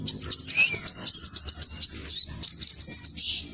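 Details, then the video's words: Scarlet minivet giving a fast, tight 'roll tembak' roll as a lure for other birds: a steady stream of quick, high, sharp chip notes, several per second, over a faint low hum. "Sepah Raja Gacor Roll Tembak Speed Rapat"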